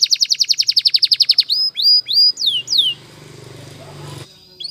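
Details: Canary song used for training, opening with a quick rhythmic trill of repeated high notes, then several long rising and falling whistled slurs, after which a soft low hum and rustle fill the rest.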